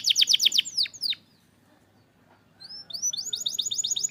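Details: Canary singing, aimed at canaries that are stuck or lazy to sing: a rapid bright trill, a silent pause, then rising whistles building into a fast repeated phrase.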